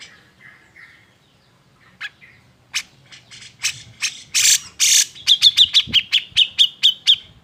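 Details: Cucak jenggot, the grey-cheeked bulbul, in an emotional, agitated song used to provoke other birds: faint thin whistles, then rising sharp chips building into loud rasping bursts and a rapid string of clipped high notes.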